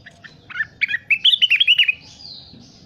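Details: Crested partridge calling actively, recorded as a training tape for other birds: a quick run of about ten sharp, bright chirping notes that steady into an even rattling series, followed by a faint higher whistle.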